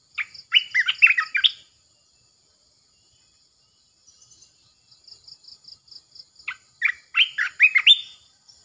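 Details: Red-eyed bulbul, caged, two bursts of bubbly, warbling phrases, rich and rapid in the mid-range, separated by a pause with soft repeated chips in the background.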